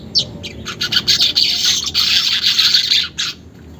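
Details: A caged-bird prompt of weaver song opening with scattered high chips that swell into a continuous buzzy, crackling chatter, ending abruptly after about three seconds over a faint low hum.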